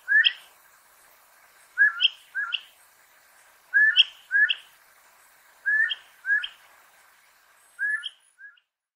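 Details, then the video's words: Repeated paired whistles from an elegant crested tinamou, each note swelling and sliding upward, pairs spaced about two seconds apart, ending with a softer trailing note; little else audible. "SOM DE MARTINETA ELEGANTE (Eudromia elegans) elegant crested-tinamou"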